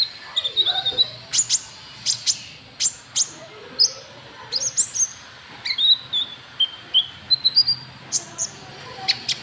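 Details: White-cheeked bulbul lure call, used to draw rival birds: sharp high chirps and short whistled notes, some sliding downward, scattered irregularly with brief pauses, and a faint low murmur behind.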